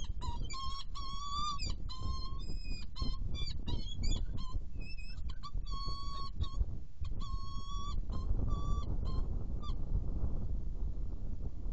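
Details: Saker falcons at a nest in Hungary during food delivery and feeding, 30 April 2017 at 10:27, nest camera; rapid series of harsh, nasal, repeated calls in quick bursts, with steady low wind rumble underneath.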